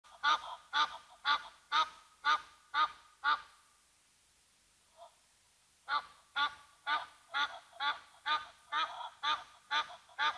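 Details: Egyptian Geese at the Gnu Pan waterhole, Mabula Game Lodge, South Africa, upset by a Brown Hyena, give harsh, evenly spaced honks about twice a second. The series breaks off for two seconds, then resumes just as steadily.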